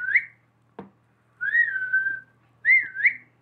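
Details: Pet parrot whistling in a humanlike way: clear rising slurred whistles, a long level drawn-out note, then a two-part up-down whistle, with a soft click between, indoors.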